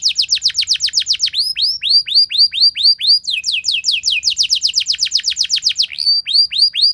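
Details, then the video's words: Canary pouring out a long, loud lure song for other canaries: bursts of rapid falling notes switch between fast and slower tempos, with curved whistled sweeps and faint high overtones, all crisp and clear. "Langsung Respon Burung Kenari Kondisi Apa Saja Dengan Pancingan Kenari Nembak Panjang Keras Ini"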